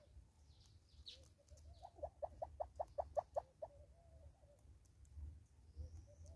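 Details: Southern red-billed hornbill in South Africa calling a rhythmic series of about nine hollow clucks that grow louder and peak in the middle, then fade into softer scattered notes, with faint chirps from other birds and a low background hum.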